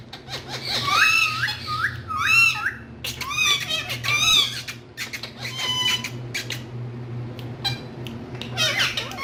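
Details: Green talking parrots in a room give bursts of arched, nasal squawks in tight clusters of two or three, then looser chattering notes, while a low mechanical hum runs throughout.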